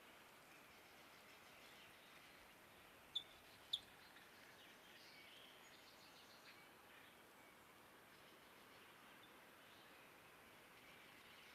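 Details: Purple finch (Haemorhous purpureus), flight call.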